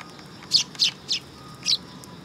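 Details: Sparrows coming onto a perch platform at a Tenmangu shrine on 3 September 2022: four loud, slightly buzzy chirps, three in quick succession and one after a short pause.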